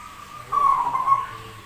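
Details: Zebra dove with an unusual voice, singing persistently: one rolling, burbling coo of under a second rises out of a quiet, steady background hum.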